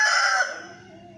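A rooster's loud, harsh crow, cut off after under half a second, leaving a brief echoing fade.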